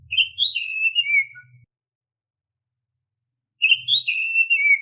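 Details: Oriental magpie-robin song, used as a lure to prompt untrained caged magpie-robins to sing: a rich, slurred whistled phrase that rises and then falls, repeated after a two-second pause, with a faint low thumping beneath.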